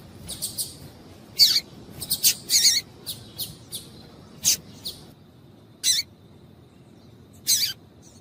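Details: Female double-collared seedeater calls, used to stimulate males to sing: short, sharp, high chips, single and in quick clusters, spaced irregularly over several seconds against a quiet background.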